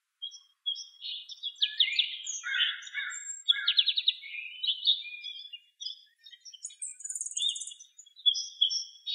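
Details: Several pine siskins twitter together in a birch on November 24, 2012, a dense, continuous chatter of buzzy trills, rattling notes and thin high chips overlapping without a break.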